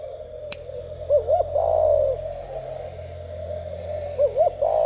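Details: A spotted dove of the cu khách kind offered for sale, cooing gù tít style: two phrases of quick wavy notes leading into a long, slightly falling coo, with a click and a steady background hum.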